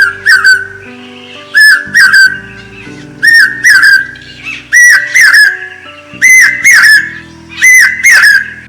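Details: Common hawk-cuckoo (pawsha), a bird of the rains' onset, gives six loud, shrill three-note phrases about every 1.5 seconds, climbing slightly in pitch, over soft background music.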